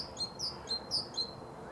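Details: A male great tit, recorded in Zagreb, Croatia, in January–February 2015, sings thin, high, bright, ringing two-note phrases repeated about four times a second against a faint background hiss.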